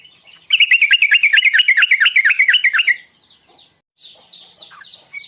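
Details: Sooty-headed bulbul lure call to provoke singing, tuklik ngingklong style: a loud, fast, even trill of warbled notes for about two and a half seconds, then softer high chatter.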